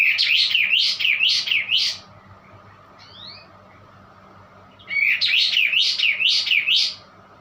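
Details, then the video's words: White-eye with an unusual song: two long runs of fast, high, wavering twitters, each about two seconds long, separated by a pause holding one thin rising note. A quiet low hum runs throughout. "kapas tembak bunyi aneh"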